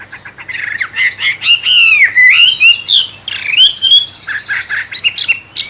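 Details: Wambe bird, described as sounding like a magpie robin, singing a tutor song for training songbirds: a long run of varied clear whistles, sweeping slurs and short chirps, delivered quickly and continuously.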